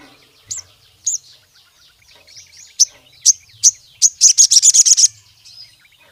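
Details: Sooty-headed bulbul in full song, meant to challenge rivals and set other bulbuls singing: sharp high whistled notes spaced about half a second apart, quickening into a fast rattling trill before trailing off.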